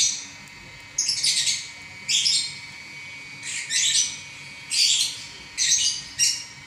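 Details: Prize-winning lovebird in non-stop ngacor song: six loud, scratchy squawking bursts, each under half a second, spaced roughly one second apart, with brief quiet gaps and a low background hum.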